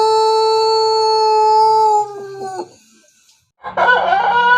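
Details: Long crow of a Pelung chicken from Plered, Purwakarta: a steady, clear, drawn-out note held about two seconds, faltering and breaking off, a short silence, then a loud rough burst of another call.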